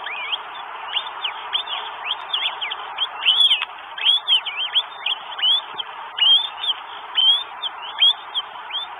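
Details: Northern goshawk, Estonia, 12 May 2022, at the arrival of a bird carrying food: a rapid run of high arched whistles, roughly seventy-five a minute, uneven in spacing and partly overlapping.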